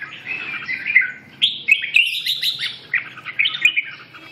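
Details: Song of a red-whiskered bulbul: lively, clear warbled notes rising and falling in quick succession, a near-continuous chattering phrase with a few sharp clicks and low hum beneath.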